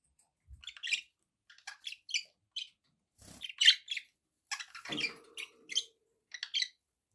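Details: Indoor pet budgerigars making a run of short, sharp high chirps spaced about every half second, with a few soft thumps and a faint tonal hum in the background.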